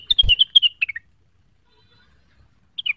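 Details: Cucak wilis seeking a rival: a short, fast sequence of falling whistled notes, a thump, a silence, and then a final brief two-note phrase.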